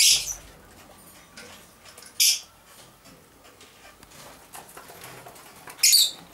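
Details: Two male masked lovebirds, dominant edged blue and dominant edged D blue, 7-8 months old, moulting and preening each other; short shrill screechy bursts at intervals between quiet faint chatter.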